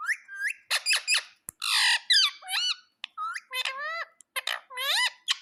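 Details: Parrot kept as a pet, calling nonstop indoors: a dense stream of loud, raspy squawks and screeches, many swooping upward or downward in pitch, with barely a breath between them.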